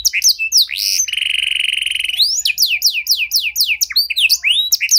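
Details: Canary song used to get silent canaries singing again: rapid sweeping notes, a steady sustained whistled trill, then a jumble of varied rising and falling slurred whistles.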